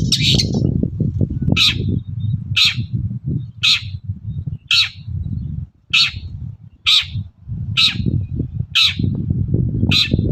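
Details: Long-tailed shrike used as a morning lure to get other shrikes answering: a single sharp, harsh note repeated about every 0.6 seconds in a steady series, over a low rumbling background.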